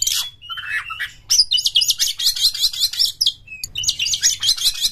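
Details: Oriental magpie-robin in full voice, tail spread, with long song material. A scratchy start and sliding whistles give way to rapid buzzy chatter repeated almost three times a second, ending in more rasping phrases.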